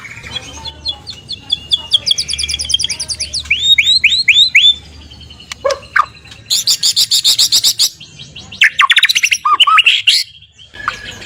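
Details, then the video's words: Morning lure song of a white-rumped shama, meant to set other shamas singing: a fast, varied medley of repeated curved whistles, dense high chattering runs and sharp rising notes with short pauses, clear and dominant over faint low hum. "Murai Batu Malas Bunyi? Coba Pancingan Ini, Langsung Rajin Ngicau!"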